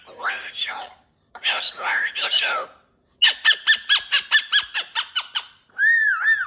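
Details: Pet cockatoo in a cage playing with new jingly toys, calling out in rough speech-like phrases, then a rapid run of about a dozen sharp repeated squawky notes and a final warbling whistle.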